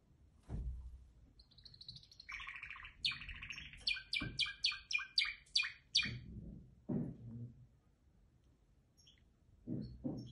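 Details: Canary song of buzzy rolling trills and a run of sharp high chirps, broken by low thumps and knocking sounds before and after the singing.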